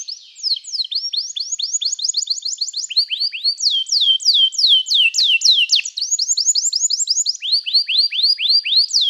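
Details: Canary training song: continuous high, loud bird song built from repeated tours of sweeping whistled notes, alternating faster rattling series with slower descending slurs, steady and unbroken throughout.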